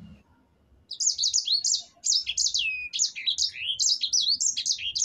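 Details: After a short, quiet start, a sanger finch bursts into a long, rolling song used for training caged birds: dense, high, sharp chirps and swooping whistles, one long falling slur among them.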